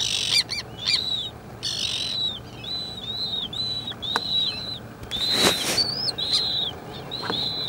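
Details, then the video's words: High arched whistles from an adult and a chick slender-billed gull, given in a steady series, broken by sharp clicks early on and a loud broadband burst midway. "Goélands railleurs adulte et poussin"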